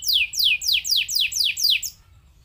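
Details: Canary song intended to set other canaries singing: seven sharp falling whistled notes in quick, even succession, about three per second, then silence.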